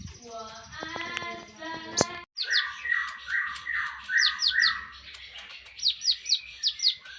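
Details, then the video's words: Javan tesia singing on a training master recording. A harmonic, stacked whistle opens it, followed by rapid downslurred chirps mixed with high, sharp, descending flicks that come in bursts. "Konin mewah masteran wajib kicau mania"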